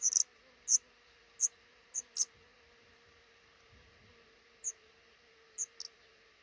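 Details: Black redstart at a nest under the roof above a house's front door, where a pair is raising five chicks: short, thin, very high chirps, single or in quick pairs at uneven intervals, over a steady low hum.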